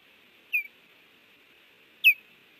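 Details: At a Montana nest at Hellgate, 30 June 2019, late morning, an osprey calls as strangers arrive. A softer downslurred chirp is followed a second and a half later by a louder, sharper one, with steady background hum.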